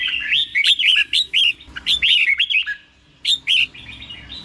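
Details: Red-whiskered bulbul song, slow and clear, played so caged bulbuls learn it: a dense stream of bright, bubbling whistles, pause, then a few more rising notes.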